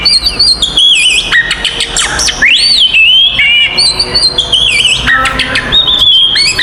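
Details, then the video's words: Provocative fighting song of an oriental magpie-robin, used to stir other magpie-robins: high, bright whistles with upward-arching swoops, sharp clicks and fast twittering phrases, delivered without pause. "SUARA BURUNG kacer gacor TARUNG konslet paling AMPUH buat PANCINGAN KACER EMOSI"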